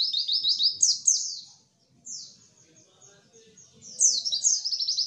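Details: White-eye song as a lure for birds that sing little: bright bursts of quick, descending high twitters at the start and end, separated by a quieter stretch of thin, faint notes.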